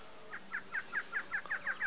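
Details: Barred antshrike pair in Brazil duetting together: a rhythmic series of short nasal, slightly downslurred notes repeated about five times a second, with a steady high insect-like hum running underneath.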